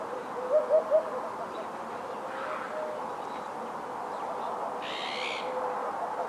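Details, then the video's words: Winter song of a Eurasian hoopoe at Ria Formosa Natural Park, Portugal, late December 2011: one low, hollow three-note 'oop-oop-oop' phrase at the start, followed by quiet background noise and a brief higher buzzy call from another bird. "HUPPE Fasciée/Upupa epops/Chant/Hiver"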